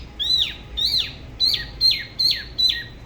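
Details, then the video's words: Solo song of a Dalat spot-throated babbler, La Ba river, Vietnam, with a manner said to be unusual compared with other regions: loud, down-slurred whistled notes repeated evenly about twice a second. "Tiểu mi La Bá hót solo/ Spot-throated Babbler the best solo La Ba river"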